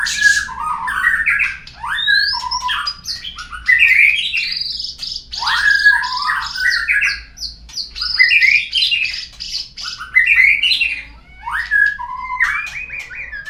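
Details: White-rumped shama singing as a lure to set other birds singing: rich varied phrases of whistles and harsh notes over a long sustained high tone, with pauses between bursts.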